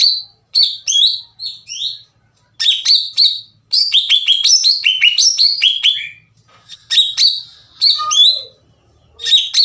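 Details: Cucak ijo, the greater green leafbird, in vigorous song meant to provoke rival leafbirds: energetic bursts of sharp, looping whistled notes and chatter, rising and falling, broken by brief silences.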